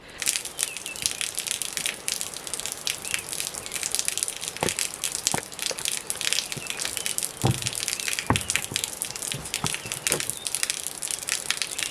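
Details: Crackling, crunching and splashing noises with clicks and taps, like handling or crushing something wet, with no animal voice heard.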